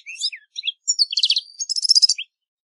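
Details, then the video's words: European goldfinch (Carduelis carduelis) singing in nature: a short phrase of tinkling notes building into a rapid, jingling trill that stops abruptly after about two seconds. "Birds Singing - European Goldfinch"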